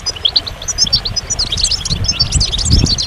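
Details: Goldfinch singing a rapid run of bright chirps and liquid twittering notes, almost continuous, with a low background rumble.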